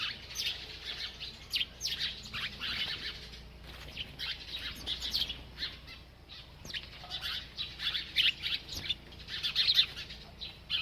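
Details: A bird chirping while it eats: steady stream of high, sharp tweets in quick bursts, some notes sliding downward, with brief gaps around four and seven seconds and faint clicks between calls.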